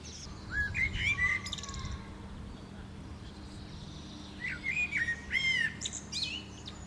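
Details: Common Blackbird song in the UK: two rich, mellow, confidently delivered warbled phrases, each ending in a high twittering flourish, separated by a measured pause of about two seconds, over quiet background hiss.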